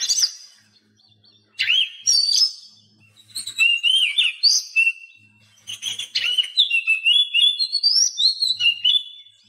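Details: Oriental magpie-robin singing, a recording used to make caged birds that stay silent start singing: several loud phrases of varied whistles, buzzy notes and rising slurs, ending in a quick run of repeated chirps.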